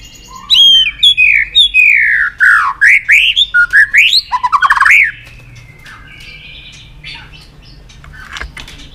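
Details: White-rumped shama worked up to sing, tail-flicking on the perch: rich, loud whistled phrases that swoop down and up, then a rapid run of notes, fading into quiet after five seconds.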